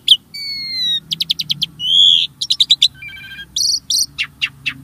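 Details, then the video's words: Varied starling song for prompting caged birds to sing: long pure descending whistles, then fast clicking rattles, a drawn-out buzzy note and sharp downward-swept calls. "Kicau Burung Jalak | Cocok Untuk Pancingan"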